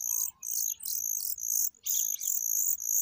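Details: Familiar chat chicks begging while being fed by adults: dense, hissy high-pitched squeals in rapid bursts, about two per second, with brief gaps between them.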